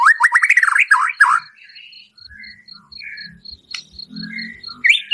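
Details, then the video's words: Song of a white-rumped shama, a full 'isian' with rough 'tembakan' used to stir a captive shama's emotion: a loud burst of rapid jumbled notes, then softer scattered whistles over a steady high ticking and low rumbling. "Murai Batu Gacor Full Isian Tembakan kasar, Sangat Ampuh Untuk Pancingan Emosi Murai"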